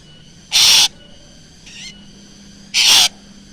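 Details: Black drongo used as a lure: two harsh screeches a little over two seconds apart, with a soft, short rising note between them.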